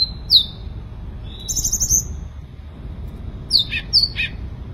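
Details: Sooty-headed bulbul singing actively: short whistled notes sliding down, given singly and in quick pairs, with one brighter, higher warbled phrase in the middle, over a steady low background hum.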